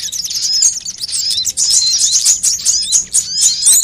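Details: Sunbirds of mixed kinds, a lure recording for drawing in birds and prompting them to sing: dense, high, thin chirps and quick twittering notes overlapping without pause, with sharp upward flicks and a few buzzy trills.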